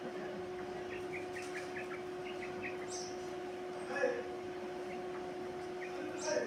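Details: A captive quail that had stopped calling and feeding is now recovering. It gives a quick series of thin, high chirps, about six notes in two seconds, then falls quiet, over a steady electrical hum.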